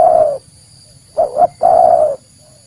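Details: Spotted dove lure coos: a long falling coo ends, silence, then two short bouncing notes and another long, full coo; soft low background rumble and a thin high whine.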